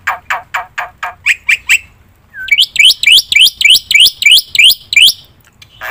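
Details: Black-winged myna (jalak putih) song used as a lure: a row of harsh buzzy notes, a brief pause, then a fast series of rising whistled upslurs repeated about three times per second.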